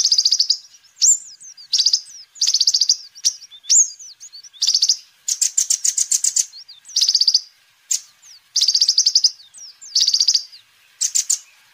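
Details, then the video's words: Loud, busy sunbird song for luring and tutoring birds: a steady stream of very high trilled bursts and quick slurred whistles, including one longer fast rattle, with hardly any pauses. "Kolibri Ninja Gacor"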